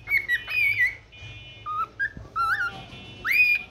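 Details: Pet cockatiel in the morning giving a warbling whistled phrase, then lower steady whistles and a final strongly rising note.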